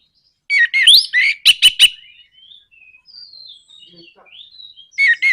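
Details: Song of an orange-headed thrush, meant to spur other birds to sing: loud warbled, slurred phrases and three sharp clicks, then a stretch of quiet thin whistles before a loud phrase returns.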